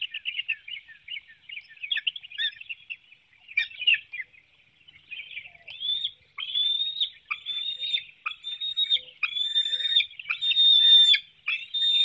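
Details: At a Hanover, Pennsylvania nest on 9 June 2019, 7:04 a.m., bald eagles call while a small fish is fed to the young. Soft, stuttering chitters build into longer, steadier high whistled squeals, repeated roughly once a second.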